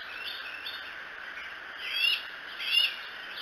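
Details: Bald eagle at the Decorah nest, recorded 07-02-2018 by a live nest camera; two short, high, thin whistled notes about 0.8 seconds apart rise out of a steady broadband hiss.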